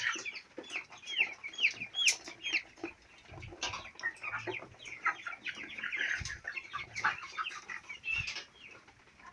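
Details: Chicks four weeks old on a farm, a crowd calling: rapid high peeps and trilling chirps, some sliding up and down in pitch, overlapping steadily, with a few faint low thumps underneath.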